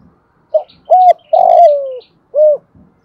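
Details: One complete phrase from a spotted dove decoy in the thổ bầu voice style, meant to stir wild doves to coo: a brief note, a level hollow coo, a long coo sliding downward, then a rounded final coo.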